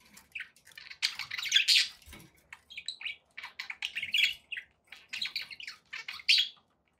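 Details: Pet budgies indoors chattering continuously: dense bursts of short chirps, squeaks and warbled notes, mostly high-pitched, with brief pauses between flurries.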